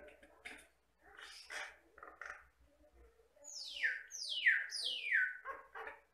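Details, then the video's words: Jalak Batam myna singing energetically: scratchy chatter notes, then three loud whistles that slide steeply downward in quick succession, ending with rough chirps. "MASTERAN BURUNG JALAK BATAM GACOR"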